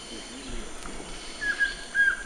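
A collared trogon gives a few soft, clear whistled notes, two or three spaced about half a second apart, over steady hissing background noise.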